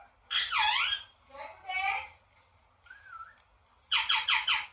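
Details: Parrot calling indoors: harsh, rasping squawks with sweeping, strongly harmonic notes, a brief soft whistled dip in the middle, then a burst of four quick raspy notes in a row.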